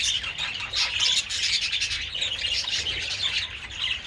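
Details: Budgerigars basking in the sun and eating treats on 27 February, a steady blend of high twittering chirps and soft squawks without pause.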